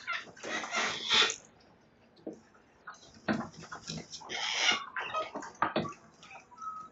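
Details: Flock of sulphur-crested cockatoos damaging a verandah on a Sunday morning, 29 May 2022, in Belgrave South near Melbourne, Australia: loud rasping screeches in two bursts separated by a quieter stretch with scattered clicks and a brief whistle.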